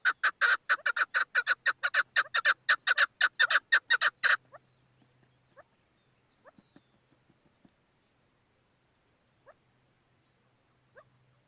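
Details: Chukar partridge calling with a fast run of loud, clucking chuck notes, about two per second, for four seconds. The notes then stop abruptly, leaving only a few faint scattered clicks and near silence.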